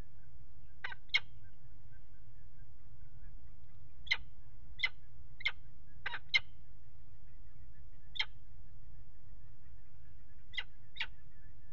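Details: Nest-box peregrine falcons on the Axel water tower, 5 February 2018, mating on the ledge, give a string of short, rasping calls, some in quick pairs, irregularly spaced over a constant low drone.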